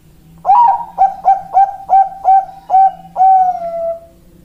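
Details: Bangkok-type zebra dove (perkutut) singing a full phrase: a swooping first note, six short even coos, then a drawn-out final coo that slides lower as it fades.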